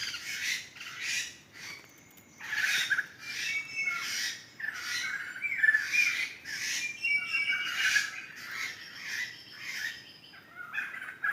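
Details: Laughingthrush flock in a Sumatran forest, wild: bursts of loud, harsh, overlapping chattering calls that come in waves about every one to two seconds, with quieter gaps between bursts.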